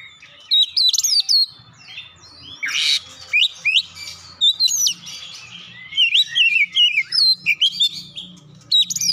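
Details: Oriental magpie-robin singing a song filled with gelatik batu imitations: bright, jumpy whistles and sharp chirps in short bursts, with one broad rushing burst near the middle and a faint low hum underneath.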